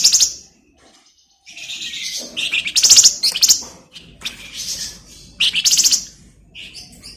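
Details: Flamboyan bird in vigorous song, used to train magpie-robins: long runs of shrill trills, buzzy chatter and high whistled notes, delivered in several loud bursts with brief pauses.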